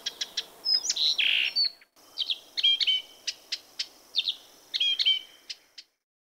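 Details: Blyth's reed warbler singing at night: short melodic phrases of sweet whistled and slurred notes broken by dry clicking 'tk' notes, with a brief pause midway before a new phrase; a quiet background.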